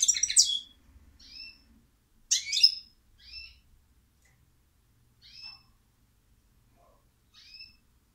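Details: European goldfinch delivering two loud jangling twitter bursts followed by softer, well-spaced thin whistled notes that fade toward the end.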